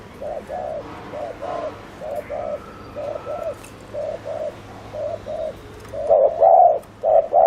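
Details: Fast 'gù' cooing from a decoy spotted dove meant to lure wild doves: a steady run of soft double coos about once a second, growing louder and fuller near the end, with a low hum behind.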